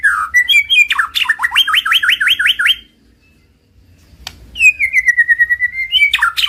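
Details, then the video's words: White-rumped shama singing, a master recording intended to raise a silent bird's passion and make it sing: quick repeated hooked whistles, a pause, then a long descending whistle ending in sharp notes. "Suara Masteran Murai Batu,Ampuh Naikan BIRAHI dan Emosi Murai DIAM jadi NYAUUT!"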